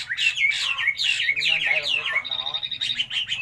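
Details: Chinese hwamei song in quick looping whistles that dip and rise, then a steady held whistle; a low background hum runs underneath.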